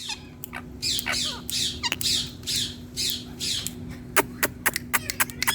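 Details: A pet rose-ringed parakeet on a plant gives raspy, high chattering phrases in quick bursts, then a run of sharp clicking notes, over a steady low indoor hum.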